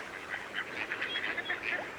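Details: Several mallards call from a distance at a reedbed at RSPB Minsmere, UK, in winter (January). Short nasal quacks overlap every fraction of a second over a steady background hiss.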